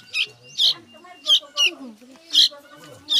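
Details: Sooty-headed bulbul chick calling while hungry, giving sharp, high squeaky begging notes about once every half second, with faint voices and music underneath.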